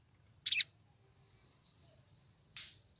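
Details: Female crimson sunbird in breeding condition, calling to lure a male: one loud high chip followed by a long, thin, steady high-pitched buzzing trill lasting nearly two seconds, ending in a short faint note.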